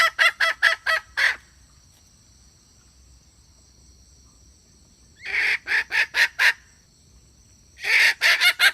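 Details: Decoy hen call for trapping, from 2021: three rapid runs of five or six harsh, clipped clucks, separated by quiet gaps of several seconds.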